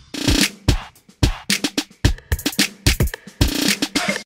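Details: Punchy drum-machine beat with bass drum hits and percussion, with no animal sound.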